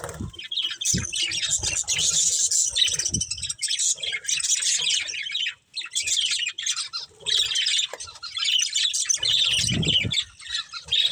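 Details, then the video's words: Long run of high, grating warbles and squawky chirps from a breeding pair of budgerigars, one brief silence partway through and a dull low knock near the end. "Cute Budgies Chirping Sounds | Love Birds Breeding Pair"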